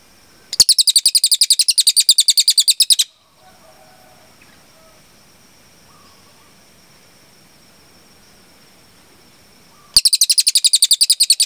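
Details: Cililin producing long bursts of high, rapid, evenly spaced chipping notes for captive birds to copy. A two-second burst, then a long quiet stretch with faint background hiss, then the song resumes.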